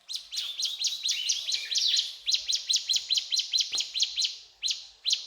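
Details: Mountain tailorbird singing energetically, a fast series of high, sharp chirped notes repeated over two per second in a steady, slightly uneven rhythm, with no other sounds.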